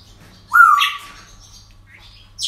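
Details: Parrot at a breeding centre on an ordinary day, giving a loud whistle that rises and then flattens out, with a raspy overtone. Faint chatter follows, and a constant low hum sits beneath.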